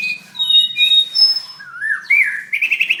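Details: Contest-winning white-rumped shama sings energetically in a 7/25/16 competition. Clear high whistles and a slurred rising phrase lead into a fast repeated trill, with a faint low murmur underneath.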